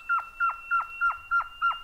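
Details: In coastal Atlantic Forest of Paraná, Brazil, a Surucua Trogon gives a steady series of six short, downslurred hooting notes, about three per second, over a faint continuous high tone.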